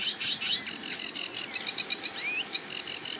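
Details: Sedge Warbler singing at a marsh edge beside a reedbed: fast scratchy chatter mixed with rising whistled slurs and quick repeated notes, varied and hurried.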